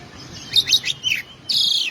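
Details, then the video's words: Oriental magpie-robin song fragment: a quick cluster of sharp chirps and downslurred notes, followed by a sustained harsh buzzy rasp. "burung kacer/koci bunyi keluar isian"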